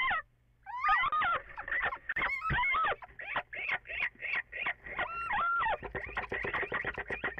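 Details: Close, loud little owl calls recorded before dawn on 14 April, with two birds possibly calling together: wavering, whining notes give way to a rapid series of short yelping chirps, with some echo.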